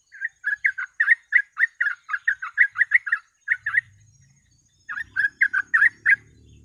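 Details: Sooty-headed bulbul giving rapid 'gacor ropel' song as a lure and tutor recording: a long run of brisk chattering notes, a pause with faint low rumble, then a final burst over soft background noise.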